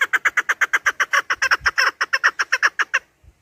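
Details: Chukar partridge producing a loud, continuous train of harsh clucking chuk notes, fast and regular for three seconds before stopping abruptly; recording intended for partridge hunting.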